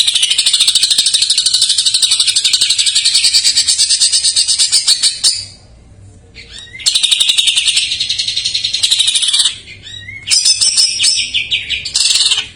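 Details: Greater green leafbird with an isian song full of jamtrok phrases, used to coax untrained or silent birds into singing; long stretches of shrill, rapid chatter, broken by brief gaps and ending in short squeaky trills.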